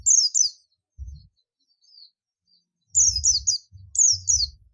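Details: Oriental white-eye, buxtoni form, in ngalas calling meant to draw other white-eyes: bright falling chirps given in clusters of two to three, separated by short gaps, with low muffled thuds underneath.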